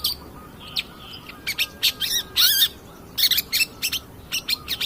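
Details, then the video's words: Long-tailed shrike song played as a lure to provoke other birds, harsh raspy bursts and wavering trilled notes with a quavering whistled phrase, plus a faint steady tone beneath. "pancingan cedet pastol gacor"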